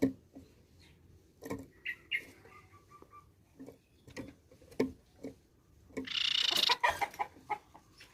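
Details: Pipi perak, the grey-cheeked tit-babbler, in steady song. Scattered short, clipped chuk-like notes sound every half second or so, then a loud, rasping buzzy burst near the end, followed by more sharp notes.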